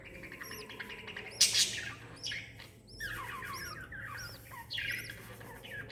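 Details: Lovebird with her chick, 26 December 2021, uttering evenly spaced high chirps amid soft chatter, with a brief loud rustle early on.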